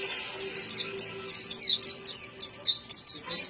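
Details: Bright, rhythmic white-eye singing: clean descending whistled notes repeated in quick succession, about three and a half per second, with a faint low hum underneath.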